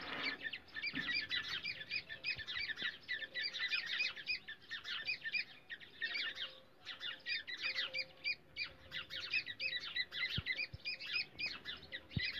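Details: Black francolin calls from India, played to lure and trap francolins, described as a baby voice: a long continuous chorus of rapid high chirps in clustered bursts with brief pauses, a faint steady hum behind.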